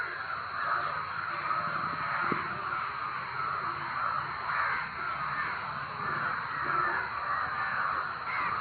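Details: Many crows call loudly at once, a steady wall of raucous cawing with individual harsh notes surfacing throughout and one brief knock partway through.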